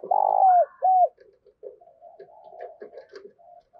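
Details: Spotted dove kept as a decoy bird, calling to lure wild doves: two loud, low, smooth coo notes, the first long and the second short, followed by softer, broken cooing murmurs.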